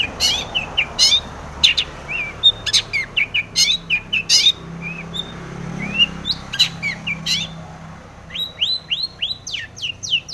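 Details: Long-tailed shrike in a busy song full of varied phrases, played to provoke other shrikes: scratchy bursts mixed with short whistles, ending in a quick run of rising, repeated whistled notes.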